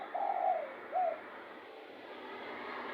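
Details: Spotted dove calling for bird luring: two brief soft coos in quick succession, the second shorter, then only faint hiss.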